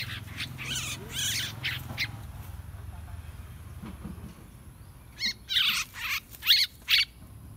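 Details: Yellow-vented bulbul call used as a lure to attract wild bulbuls: harsh, bubbly chattering bursts in short irregular groups, with a low rumble of background noise underneath.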